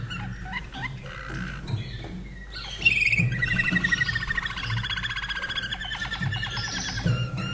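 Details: Common nightingale kept in Austria, a bird from 2011, sings a short song: after quiet opening notes, a loud rapid trill of repeated notes breaks in and runs on steadily, over a low background hum.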